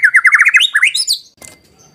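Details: White-rumped shama (murai batu) singing to provoke: quick rising whistled notes climbing into a brief high flourish, followed by a faint click and quiet.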